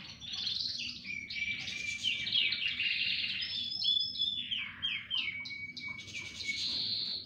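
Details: Canaries singing together. Busy, overlapping warbles and trills are mixed with thin whistled notes, with no pauses between the phrases.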